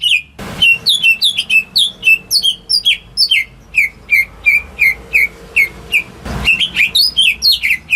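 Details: Home-raised greater green leafbird singing to draw song from silent birds: a steady series of short, downward-slurred whistles repeated roughly twice per second, with sharp high ticks and two brief thumps.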